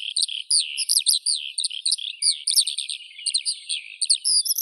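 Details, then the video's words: Skylark singing a rapid, unbroken stream of chirps and trills, the notes sliding up and down in quick bursts with brief gaps, clear and high-pitched, with no other sounds. "Skylark Birdsong"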